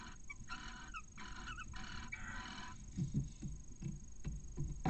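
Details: Barn owls in their nest at Cabañeros National Park, Spain, as the male turns up with a mouse shortly after the chick hatches. A few quick nasal chirps open the clip, then low thumps and rustling movements follow.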